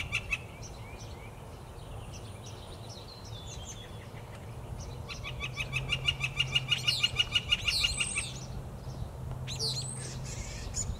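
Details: Yellow-shafted Northern flicker gives a fast, even run of loud, ringing 'wik' notes lasting about two seconds; softer chirps from other birds and a low background rumble are also heard.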